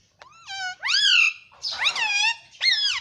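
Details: Pet ring-necked green parakeet talking, said to say "mummy" and "papa": three clear, high, harmonic voiced phrases, each sliding up and then down, with short gaps between them, indoors and with little background noise.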